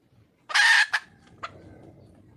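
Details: Red junglefowl hen in the wild calling for a male: one loud harsh rasping burst about half a second long, then a shorter clipped note and a single faint sharp click, against a soft low hum.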